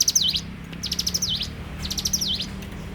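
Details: Bar-winged prinia singing at full strength in the morning, giving three sharp phrases of ticking notes, each capped with a V-shaped slur. A low background hum runs throughout.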